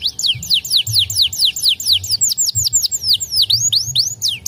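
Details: White canaries in full song: quick series of falling whistled notes that shift into rising and U-shaped phrases, delivered in rapid regular sequences, with a soft low background rumble.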